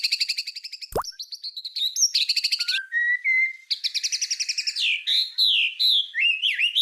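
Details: White-rumped shama singing 'tembakan' bursts for songbird tutoring: quick trains of bright repeated notes, a sharp click, then drawn-out level whistles and looping slurred phrases in varied pitch.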